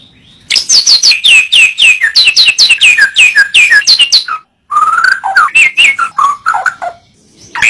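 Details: White-rumped shama song: a loud, fast run of repeated sweeping whistled notes for four seconds, then a brief pause and a varied phrase of lower and higher warbled notes.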